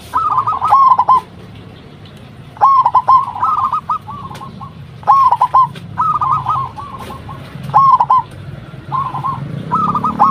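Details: Local zebra dove, used as a lure to make other doves answer: phrases of soft trilled, rolling coos repeated every two to three seconds, each opening with a stuttered note and ending in a short series of pulses.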